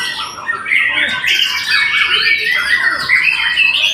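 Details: Loud, busy white-rumped shama song: overlapping bright whistles and harsh, squawky chatter pour out without pause, mostly high in pitch.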